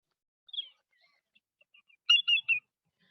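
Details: Greater yellowlegs at a wastewater treatment plant, 18 September: its high three-noted flight call, loud clear whistles tew-tew-tew in quick succession, after a fainter slurred whistle and a few soft chips.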